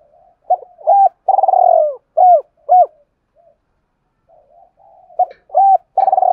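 A spotted dove gives deep, rounded coos in quick bursts, a challenge call meant to provoke rival males.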